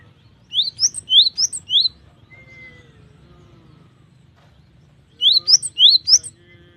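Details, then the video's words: Cinereous tit singing: a run of four quick, high, down-slurred whistled notes, a pause of about three seconds, then the same bright phrase repeated, with a brief thin whistle in the gap. "GELATIK BATU GACOR || the melodious sound of stone sparrows"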